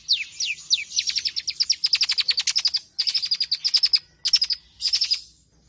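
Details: Long-tailed shrike in energetic song used to stir other birds into singing. Dense rapid trilled phrases, some sliding downward, in near-continuous bursts with brief pauses.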